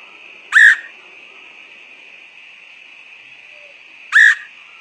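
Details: Woodpecker call used as a bird-catching lure: two short, sharp, harsh notes about three and a half seconds apart, each a single loud burst, over a constant high-pitched background hum.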